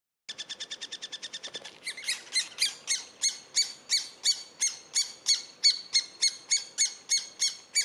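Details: Eurasian three-toed woodpecker during feeding: a rapid run of thin, high, buzzy-edged notes, then louder, sharper high calls repeated about three times per second with steady rhythm.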